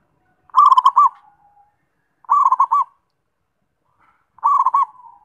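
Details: Perkutut (zebra dove) singing three evenly spaced phrases of quick stuttered notes and rounded coos, with quiet pauses between them.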